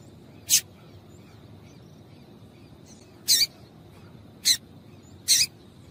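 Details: Female Rusty-collared Seedeater calling to stimulate males to sing. Four short, harsh, broadband bursts come at irregular intervals, the last two close together, over a quiet background.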